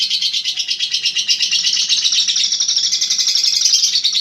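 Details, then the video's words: Caged contest lovebird, an Eagle Head champion of singing contests, in a long ngekek: dense high chattering trill, rapid pulses running unbroken for the full four seconds. "Ngekek 1 menit up"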